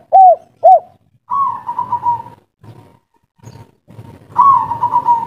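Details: Local kuk-3 spotted dove calling a female, with two quick hooked coos followed by long, softer quavering trills that rise then fade, separated by quiet gaps.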